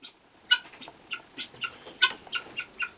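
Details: Helmeted guineafowl hen in a barn, calling while laying her egg: odd, weird sounds as a series of short harsh chattering notes, roughly two to three per second, after a quiet start.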